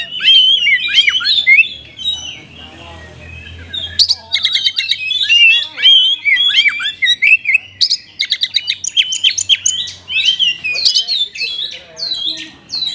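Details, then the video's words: Oriental magpie-robin song used as a lure to stir lazy caged magpie-robins that won't sing: a loud, rich medley of sweet whistles, rapid trills and harsh chattering notes, with phrases tumbling quickly one after another. "KACER GACOR isian mewah"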